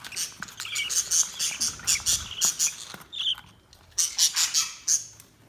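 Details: Budgies chattering at a distance, quick high buzzy ticks and trills in rapid runs, with a short whistled note midway and a brief quieter gap.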